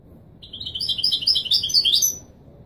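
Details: European goldfinch in the authentic Marrakchi Widani song style, for training chicks: a short two-second burst of bright, chattering, high notes that climb slightly toward a final flourish.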